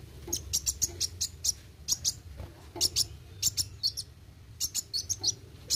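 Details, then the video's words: Sunbird song in steady 'gacor' style, rapid repeated high, piercing chirps and ticks in regular bursts across the recording, accompanied by a faint low hum. "Kolibri Wuling Gacor Roll tembak"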